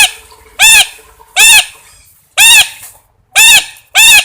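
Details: Parrot calling with five loud, grating squawks about one per second, over a faint steady background hum.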